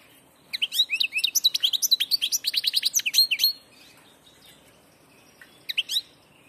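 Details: A wild-caught passage European goldfinch nicknamed "the Master" sings a fast, bright twittering run of high tinkling notes for about three seconds, then adds a brief, separate twitter after a pause.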